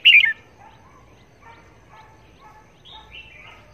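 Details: Red-whiskered bulbul used as a decoy bird for trapping; a loud scratchy burst opens, then quiet chattering notes and a short rising whistled phrase.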